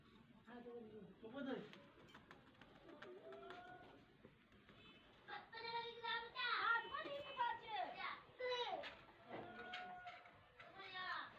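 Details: A female rose-ringed (ringneck) parakeet, a pet, chatters in short, nasal, speech-like phrases broken by sharp clicks and squawks, interacting with the owner's baby; a child's voice and household sounds in a small room.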